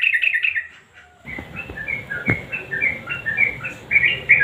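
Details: Sooty-headed bulbul, 'nguklik' style, used with a 'garuda' combination to make silent birds sing: a brief loud warble, then a steady stream of short whistled notes at varied pitches with a single sharp click midway.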